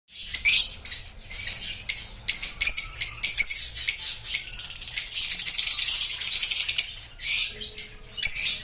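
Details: Opaline rosy-faced lovebirds chatter in shrill, high chirps and buzzy squeaks, coming in quick overlapping bursts with a longer rasping stretch near the end.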